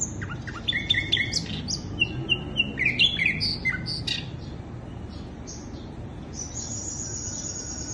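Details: Sikatan londo flycatcher lure song: a busy jumble of high chips, whistles and buzzy notes for four seconds, then a long high sustained whistle over a low background drone.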